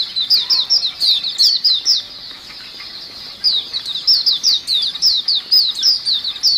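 A flock of white-eyes chatters nonstop: high, thin, quick down-slurred chirps overlapping several times a second, with no other sounds heard.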